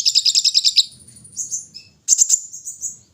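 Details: During early-morning airing, a brown-throated sunbird sings a fast string of bright staccato notes, falls to thin drawn-out whistles, then bursts into a quick, shrill trill.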